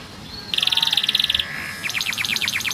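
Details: Yellow canary giving a rapid high trill lasting about a second, then a series of quick descending chips over faint background hiss.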